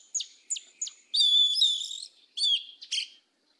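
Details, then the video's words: Yellow-legged Thrush, southern 'mateiro' song style: three sharp separate chip notes open, then a sustained ringing whistled warble, followed by two shorter twittering bursts before silence. "SABIÁ PRETA CANTO MATEIRO DO SUL"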